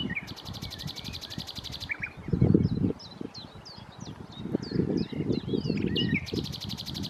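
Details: Common nightingale singing at Challow Hill, Corfe, on 4 May 2015: rapid pulsed trills alternate with varied whistled and slurred notes, with rustling and low background rumble.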